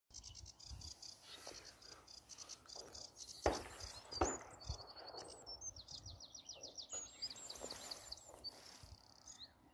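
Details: Sedge warbler recorded 2.5.2021, singing a fast, high, scratchy chatter of varied phrases with repeated buzzy trills and rattles; a few sharp knocks and a low background rumble.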